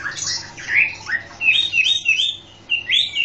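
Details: Chinese hwamei (Garrulax canorus), native to southern China, sings loud, varied whistled phrases, ending in a run of bright rising-and-falling notes repeated about every half second.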